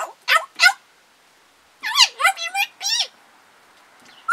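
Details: Captive African grey parrot talking, 24 July 2021: a burst of voice-like, wavering syllables in two quick notes, then a run of four mimicked word sounds, recorded in a small room.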